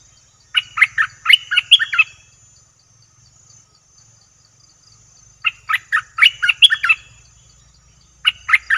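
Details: Lure call of a bulbul, meant to attract fierce wild birds: bubbly bursts of seven or eight sharp notes repeated every four to five seconds, with a soft low hum beneath.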